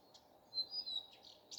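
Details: A common nightingale sings in the morning, giving a high, thin whistled note followed by short, scratchy bursts, with a faint background hum.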